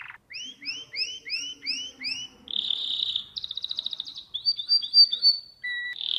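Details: Canary song for teaching young birds, opening with about seven rising slurred whistles, then a buzzy trill, a rapid rattle, warbled notes and a pure low whistle before another buzzy phrase.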